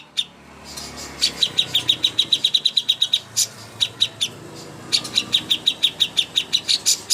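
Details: Cucak hijau song used as a contest master: quiet start, then fast ringing high chirps in a tight run, a short pause with a loud click, and another lively series.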